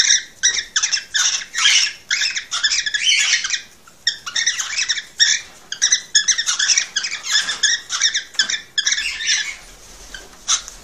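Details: An excited male cockatiel sings to encourage a female to mate and breed, pouring out long rapid sequences of scratchy, squeaky chatter bursts, one short pause midway, then continuing before tapering off.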